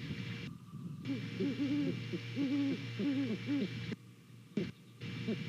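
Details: On the morning of 28 November 2019, two Great Horned Owls call to each other while inspecting a nest in Savannah, heard through a nest cam. Deep hoots come in clustered groups of three or four, repeated about every second over steady background hum.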